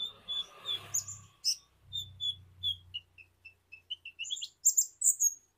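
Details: Sunbird known in Indonesia as kolibri ninja: clear short whistles and a run of quick piping notes rising into bright squeaky chirps, over low rumbling background noise early on.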